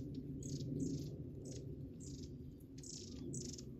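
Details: Various wild birds calling from inside a dense thicket: short, thin, high chirps in quick bursts, about seven over a few seconds, over a steady low rumble of background noise.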